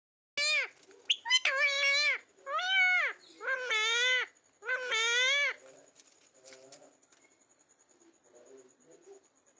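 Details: Pet rose-ringed (ringneck) parakeet talking: a few loud, nasal, word-like phrases in quick bursts over about five seconds, then faint background chatter.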